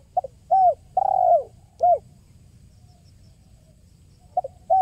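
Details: Spotted dove calling, used to lure birds: a quick note, a falling coo, a long coo and another falling coo, then a pause before short coos resume, quiet hum behind.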